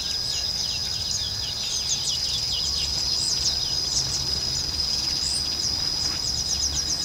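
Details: Southern red bishop, a male in breeding plumage, recorded at Vryheid, South Africa, on 2 December 2011, gives dense runs of thin, rapid, twittering chirps against a constant high-pitched whine.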